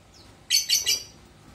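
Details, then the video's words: Lovebird calling: a faint thin rising note, then three loud, harsh, shrill chirps spaced about a fifth of a second apart, with quiet background. "Kicauan burung lovebird"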